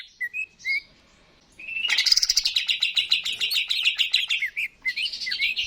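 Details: Greater green leafbird, a cucak ijo in full song, used as a lure to encourage birds to sing: a few clear whistles, a brief pause, then a long fast rattling series of sharp notes about three per second, ending in whistles.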